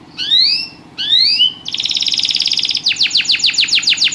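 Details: Canary in song: two rising whistled swoops, then a dense buzzy trill and a rapid series of sharp downward-sweeping notes.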